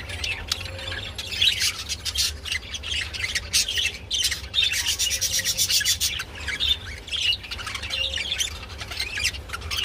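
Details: Budgerigars mating, with rapid rasping, ticking chatter building into a dense buzzy stretch midway, mixed with high squeaks and a few faint whistled tones.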